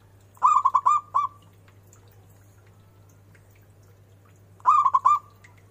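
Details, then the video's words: Local zebra dove in full song, big voice with bends: a burst of four quick rich coos ending in a held whistle, repeated after about four seconds of quiet. "perkutut lokal gacor suara BESAR DAN BERCENGKOK"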